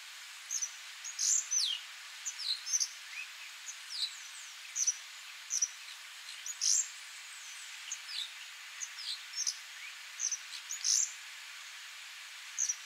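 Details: Fiscal flycatcher (Melaenornis silens) courtship at Bontebok, South Africa, 19 November 2013: thin, high chips and short squeaky notes, scattered irregularly every second or so over a faint hiss.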